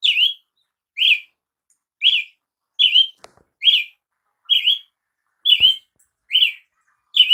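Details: A long run of about ten short, arched chirps from a Brazilian tanager (tiê-sangue), repeated roughly every 0.7 seconds, with a couple of faint clicks in between.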